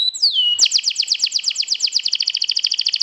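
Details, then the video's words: Canary song used to provoke other canaries before contest: a clear descending whistle opens, followed by a fast, strongly pulsed high trill of repeated two-tone notes lasting the rest of the clip. "PIKATAN KENARI, PANCING EMOSI, TERAPI STRESSS, SIAP GANTANG LAGI"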